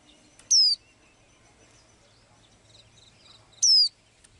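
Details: Blue-eyed small bird singing two loud, bright whistled notes that slide downward, about three seconds apart, with soft, low background chatter between them.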